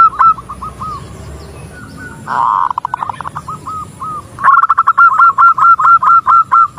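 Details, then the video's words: Zebra dove female calling to a male: a few clipped coos, a dense rolling burst, then a long loud sequence of rapid, evenly repeated short notes. "Suara perkutut betina memanggil perkutut jantan"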